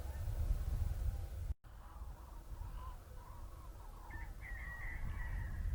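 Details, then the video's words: Cranes still migrating south to warmer places, recorded on 21 November 2020: several overlapping rolling, trumpeting calls from the flock, strongest in the second half, over a heavy low rumble of wind with a brief dropout early on. "Žerjavi letijo na jug"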